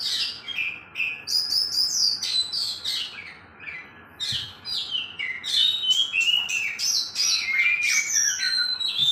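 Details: Two kept oriental magpie-robins, one a black-plumaged bird, singing against each other: dense, continuous high chattering and whistled phrases that overlap rapidly, over a constant hiss of background noise.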